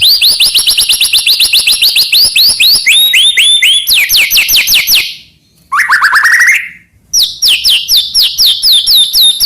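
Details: Murai batu, the white-rumped shama, singing loud 'gacor' song rich in 'isian' phrases, played to stir other shamas: long fast trains of sharp, downward-curving whistled chips, then a rapid lower rising trill, a brief silence, and more quick chipping.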